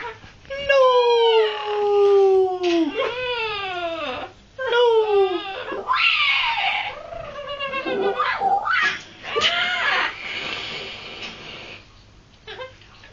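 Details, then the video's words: A pet green Amazon parrot gives loud, drawn-out wailing calls that slide downward, several in a row, then rougher squawks and chatter that almost sound like speech. "amazon green parrot making noises"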